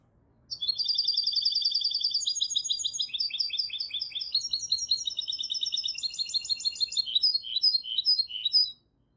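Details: Goldfinch hybrid singing a fast, varied song of rapid trilled and twittering notes in shifting phrases, some buzzy, some sharp downslurred chirps, continuous for about eight seconds in quiet surroundings.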